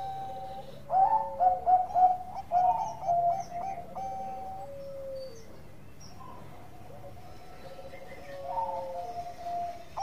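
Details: Bangkok-type zebra dove giving a relaxed lure song amid low background rumble: a cluster of rhythmic clipped coos and long notes, a quiet gap, then fainter coos returning.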